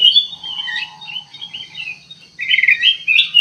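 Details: Lure sound of ruby-throated bulbul for baiting birds: high slurred whistles alongside a faint lower trill, a short pause, then loud, buzzy chattered notes closing out.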